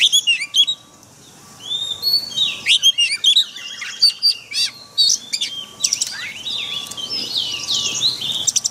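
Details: White-rumped shama singing a forest-style training song for caged birds: a continuous, jumbled stream of sharp whistles, rapid trills and sweeping notes, with a steady faint low tone running behind.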